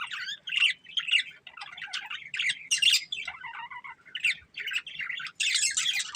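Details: Budgerigars, a breeding pair, chirping: bursts of harsh, buzzy chatter and squawky notes mixed with short whistled tweets, irregular and fairly continuous, with brief pauses between phrases.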